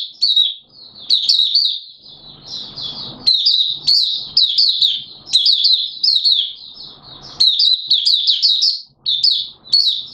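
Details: Open 'buka' song of a Malaysian Oriental white-eye, Singapore, 29 March 2023, in warm, humid conditions with sudden showers; rapid, high-pitched chirping phrases repeat over ten seconds with short gaps and faint low rustling between them.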